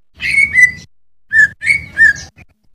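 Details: Greater Green Leafbird song for training cage birds: a few clean, drawn-out whistles, some slightly rising, separated by a short silence.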